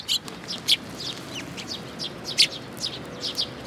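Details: Sparrows gathering at a feeding spot on a bridge railing at a shrine, recorded 9 June 2022; short sharp high chirps from several birds, irregular and overlapping, a few louder notes standing out.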